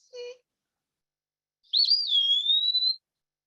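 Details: An Eastern Wood-Pewee says its name: one long, high, slurred whistle that dips and then levels off, like a drawn-out "pee-wee". A brief voice is heard just before it.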